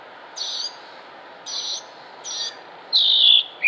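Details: Northern Mockingbird (Mimus polyglottos) singing in Concord, North Carolina, United States, on 6 July 2016: short harsh high bursts repeated about once a second, then a longer thin falling whistle and a brief lower note.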